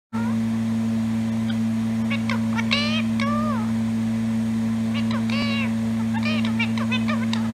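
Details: Indian ringneck parakeet talking: a few short, high, word-like phrases in three bursts, with scratchy squeaks between them, over a steady low electrical hum.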